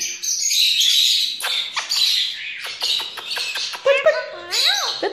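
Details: Captive Indian ringneck parakeet imitating human phrases: a raspy, speech-like stream of high syllables, then clear whistled rising and falling slurred notes near the end.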